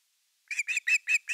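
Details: Osprey on a Finnish nest camera, nest #3, evening fish on 30 August 2021: after brief silence, five loud, slightly slurred whistled notes in quick succession.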